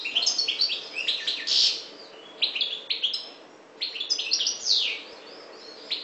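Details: Maghreb goldfinch, subspecies parva, delivering bursts of rapid tinkling twitters and sharp high chirps, two long rushing phrases separated by a brief pause and a third starting at the end, over a quiet low background hum.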